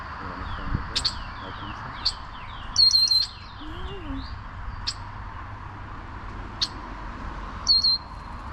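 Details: A bird in spring mating season in Applewood Hills park, Mississauga, responding to playback of its own call from a phone and staying close: short, thin, high chirps, singly or in quick clusters, every second or so, over low rumble and faint voices.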